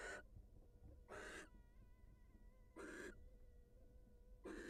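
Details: Wild barn owl female leaving the nest to greet her mate, giving four harsh breathy hiss bursts at uneven intervals over faint thin whistling tones and low rumble.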